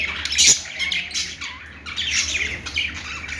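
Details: Budgerigar chirping: a loud harsh squawk opens, followed by scratchy chirps, a short lower dipping note and more buzzy chatter trailing off.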